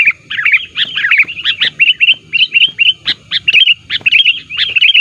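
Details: Active sooty-headed bulbul lure call aimed at pressing rivals: a lively, continuous sequence of bright chirps and short looping whistled notes, repeated several times per second over five seconds.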